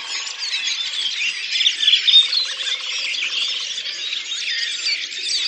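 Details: April 2019 recording from Oka Nature Reserve, Russia, of a Redwing flock singing collectively: busy, overlapping high chirps and warbling phrases merge into one steady twittering murmur, peaking briefly midway.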